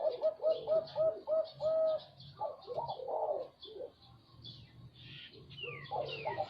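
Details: Zebra dove singing a quick run of five clipped, even coos, then softer, blurred cooing phrases and a few faint high chirps from other birds over low background hum.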